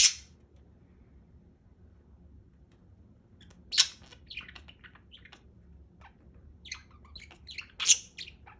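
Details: Pet budgerigar, a pet parakeet kept at home, gives scattered bursts of chirps and harsh squawks after a quiet opening stretch, louder sharp notes near the start, middle and end over faint low hum.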